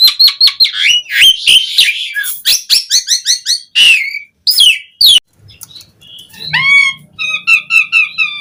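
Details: Asian pied starling giving a varied, rich fill-in song used as a lure to make starlings sing: rapid repeated piping notes and harsh chatter, then a pause and a series of clear, bell-like, tonal phrases.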